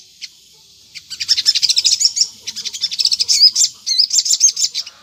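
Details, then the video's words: Crimson sunbird lure song meant to make wild sunbirds respond: two isolated high ticks, then long runs of rapid, piercing twittering with a few upslurred whistled notes, in quiet surroundings. "PANCINGAN SOGON GACOR NGLEPER || di jamin burung sogon nyaut"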